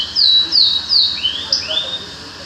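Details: Short burst of bird song: three loud, high downslurred whistles followed by two softer rising slurred notes.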